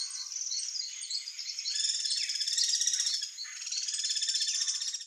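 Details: Guira cuckoos, a gregarious species, give an alarm call: a dense, shrill, overlapping chatter of high whistled and rattling notes, several birds calling together without pause.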